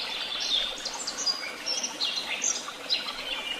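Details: Birds twittering outdoors, short high chirps and thin whistled notes scattered among several callers, over soft background hiss.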